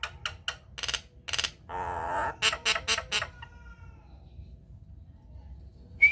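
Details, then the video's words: Nias hill myna lure recording to provoke other mynas into singing: sharp broadband clucks in a quick series, a buzzy nasal rasp, more rapid harsh notes, then a brief high whistle at the end. "PANCINGAN / MASTERAN JALAK NIAS GACOR, TEMBAKAN DAHSYAT 🔥 |INDIAN MYNAH BIRD CALL"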